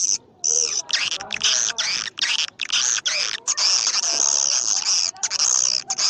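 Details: Swiftlet sound in the karindanga, liris and gondes styles: dense, high, buzzy twittering in almost continuous bursts with only brief gaps, grating and insistent throughout.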